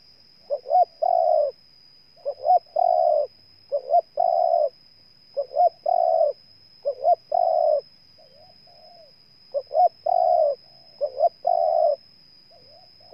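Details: Spotted dove in Ninh Thuận, Vietnam, delivering a long run of coo phrases: clipped double notes, then sustained mellow coos. Weaker distant coos appear in the pauses, and a thin steady tone lies overhead.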